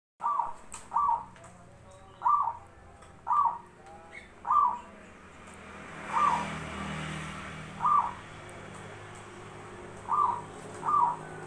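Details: Zebra dove song: short, soft cooing notes near one pitch, about nine spaced irregularly over eleven seconds, some in quick pairs, with faint clicks and a low background hum.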